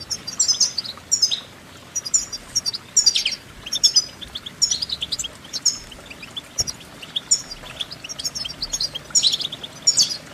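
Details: European goldfinch song in distinct bursts of sharp, twittering high notes roughly every second, bright and rhythmic, with a faint click midway and low background hum.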